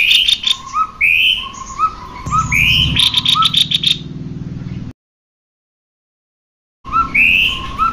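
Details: Cucak kopi, male and female together, singing as a lure to stimulate other birds to sing: clear whistled slurred notes, some rising, repeated rapidly, with a short buzzy rattle, a low humming drone underneath and a brief silent gap.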